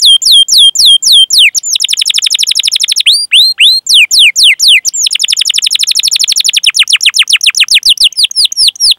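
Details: Canary in long, nonstop cuit-cuit singing, used to spur other canaries to sing. Swooping whistled notes alternate with fast rolled trills in a continuous, bright, high-pitched stream.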